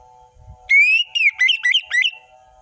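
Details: Orange-headed thrush singing in the lively ngeplong style with full variation: a loud clear rising whistle, then a string of quick looping, warbled whistled notes, over a steady low electrical hum.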